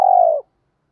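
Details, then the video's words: A single drawn-out, even coo from a spotted dove, voiced to stimulate other doves to call, steady in pitch and lasting under half a second before dropping slightly and fading into silence. "giọng chim cu gáy thúc gù dồn ép bổi lười gáy ức chế phải gáy theo"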